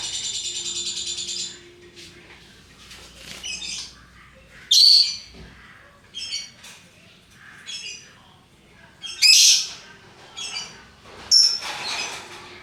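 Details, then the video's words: Multicoloured lovebirds give sharp, shrill squawks spaced a few seconds apart, mixed with softer squeaky chirps. "Burung Lovebird Rupa Rupa Warnanya, Burung Paruh Bengkok, Bunyi Ngekek Gacor"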